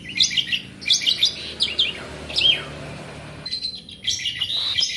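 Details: Asian pied starling singing nonstop: repeated chattering phrases with sharp downslurred notes, then steadier buzzy whistles near the end.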